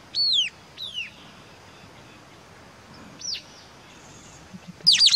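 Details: White-capped tanager, Sericossypha albocristata: loud, high descending whistled calls, a pair of arched notes at the start, then a single call near the middle and a sharp double note at the end, over faint background hiss.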